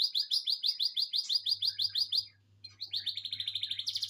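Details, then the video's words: Canary song: a fast, steady series of bright, buzzy, rolled notes, then a short pause and another rapid, even trill that rises in pitch at the end. "serasa punya 2 burung kenari"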